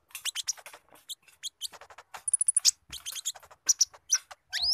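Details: Brown-throated sunbird, spotted variety, in a dense mimicking song copying a squirrel: tumbling chatters, clicks, a held high whistle and upswept notes crowding closely together.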